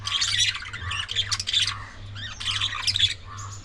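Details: Pet budgerigars kept together, with bouts of loud, harsh squawking and chattering chirps in two bursts, a quieter warble between them, and a steady low hum underneath.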